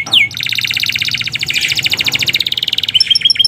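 A canary opens with a quick falling whistle, then a long, fast, rattling trill, and ends with a few clear high whistled notes. No other sounds intrude.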